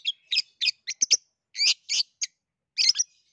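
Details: Long-tailed shrike singing in gacor style, used to provoke a lazy shrike: short harsh, buzzy chirps spaced about a third of a second apart, with a pause before a final double note.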